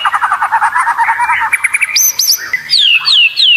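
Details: Competition-training song of a white-rumped shama: a rapid chattering series of mid-pitched notes, then clear, high, descending whistles repeated about three times.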